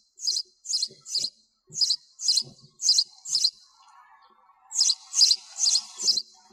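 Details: Noise-reduced sparrow chirping in two runs, six then four quick high cheeps, separated by a pause of about a second filled with a faint murmur.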